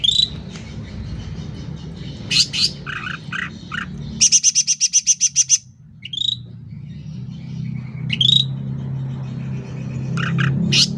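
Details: Sooty-headed bulbul in full, energetic song, used for training caged birds or luring wild ones: mixed chirps and slurred whistles, a rapid, evenly repeated high pulsed trill of about two seconds, then further scattered whistled notes over low background noise.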